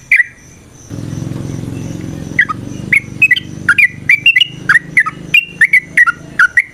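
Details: Yellow-vented bulbul (trucukan) singing to provoke a fighting response; one note, a stretch of low hum, then lively liquid chirps repeated rapidly.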